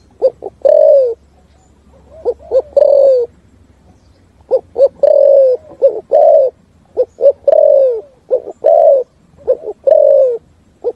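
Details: Spotted dove giving a full 'thúc gù' style cooing song, resounding through forest: loud, low coos in short groups, each group of two or three brief notes ending in a longer drawn-out coo that slides down, repeated several times with pauses.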